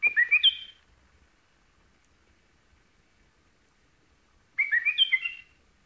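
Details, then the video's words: White-eared bulbul singing two short bubbly whistled phrases, each about half a second of quick rising and falling notes, separated by some four seconds of near silence. "White-Eared Bulbul Song"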